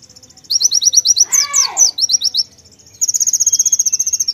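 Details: White-eye singing hard with konin-style fill-in: a run of high clipped chirps broken by louder descending slurs, then a long, even, rapid trill of high notes. A lower arched sound briefly overlaps.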